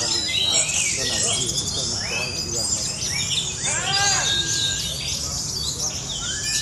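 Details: Orange-headed thrush kept as a competition songbird, singing a rapid, varied run of sweeping whistled notes and rising and falling slurs, with quick chattering trills between phrases and faint murmuring voices underneath.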